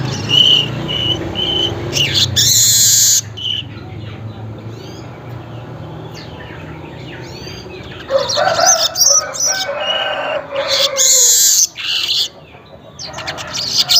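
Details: Weaver (manyar) singing in the early morning around 5:40, usually active again at midday and toward evening; bursts of harsh buzzy chattering and high sizzling notes separated by quieter gaps, low background hum.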